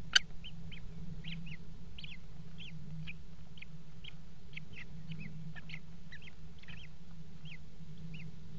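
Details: Common kestrel at a nest box in a water tower, during mating on the ledge: a rapid series of short, sharp, high notes, about two per second, some in quick pairs, over a steady low hum.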